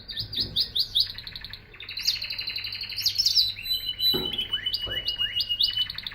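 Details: Canary song made of quick repeated upward-flicking chirps, a brief bright trill, then a long level whistle with rising slurs, all high-pitched against a low hum.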